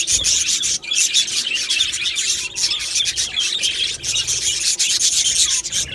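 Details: A colony of Australian budgies in an aviary, 15 July 2025, fills the air with continuous high, rapid chirps and warbling chatter. Many birds call at once with no pauses.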